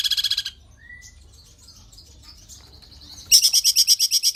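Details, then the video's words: Cungkok in full song, recorded as a clear tutor track for other cage birds: a quick run of sharp repeated chirps, a brief rising whistle, soft twittering, then another rapid, evenly spaced chirp series. "cungkok gacor suara jernih speed rapat"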